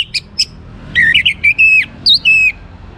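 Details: Young orange-headed thrush singing to spur other birds into song: short high chirps, then loud whistled phrases that slide and warble, with a faint low hum behind.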